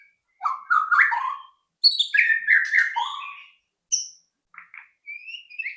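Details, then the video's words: White-rumped shama song used as a lure to get other shamas singing: bursts of varied warbled and chattering notes, then scattered short high whistles with pauses between them. "pancingan AMPUH murai batu agar cepat bunyi"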